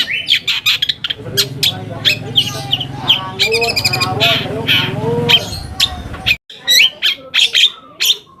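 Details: Long-tailed shrike song as a provoking lure: rapid varied chips, harsh rasps and mimic-like twittering, with a low hum underneath for the first few seconds, then clearer scratchy notes after a short break.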